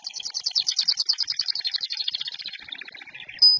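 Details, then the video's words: A loud local canary sings a fast, rolling trill of buzzy repeated notes that slowly drifts lower over three seconds, ending on a sharp, pure high whistle. "Kenari Lokal Durasi Aman Volume Ngejoss"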